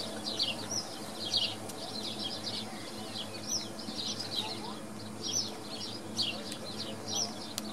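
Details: At Wicken Fen, swallows chatter in bright, high chirping phrases repeated roughly once a second, with a faint voice and steady hum beneath.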